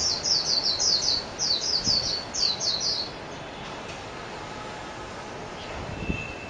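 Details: Japanese white-eye (mejiro) singing a rapid run of very high, thin twittering notes in quick clusters for about three seconds, then near silence with faint background hiss and a couple of soft low thumps.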